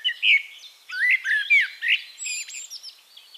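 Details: Turdus merula song from Castricum, the Netherlands: a sequence of swooping, warbled whistles in quick succession, turning into thin high squeaks and twitters at the end.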